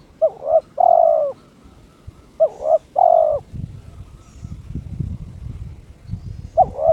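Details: Owned spotted dove, aroused, calling to challenge an opponent: two phrases of short double note plus long coo, then low background rumble and a third phrase beginning at the close.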